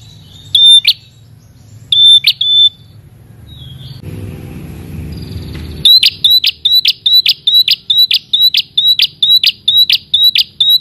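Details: Red-headed prinia calling a rival. Two spaced whistle-and-buzz notes, then a burst of rushing noise. A fast, regular run of the sharp paired notes follows, more than twice per second.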